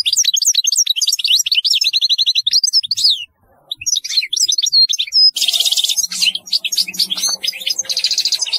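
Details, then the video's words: European goldfinch in full, nonstop song: rapid high liquid twitters and trills, a short pause, then denser buzzy and tinkling notes. "تغريد رهيب للحسون"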